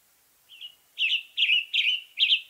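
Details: Singing Western tanager of western North America, giving a soft introductory note followed by four loud, buzzy, slurred phrases at an even pace, with light hiss behind.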